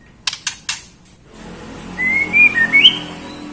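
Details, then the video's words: Female white-rumped shama calling to a male: a few sharp clicks open, then a smooth, wavering whistled phrase that climbs at its end, over low steady background noise. "Murai Batu Betina Gacor Memanggil Jantan"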